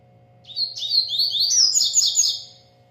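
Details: A breeder's double-collared seedeater singing a lot delivers a two-second burst of song. Clear, high whistled notes rise and accelerate into a tumbling series of quick chirps. A low hum continues throughout.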